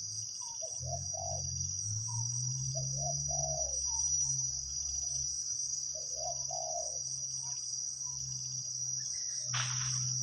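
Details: A large-voiced wild spotted dove calling beside a caged decoy bird gives low, hollow three-part coo phrases about every two to three seconds, over a loud, steady high insect drone and a low hum.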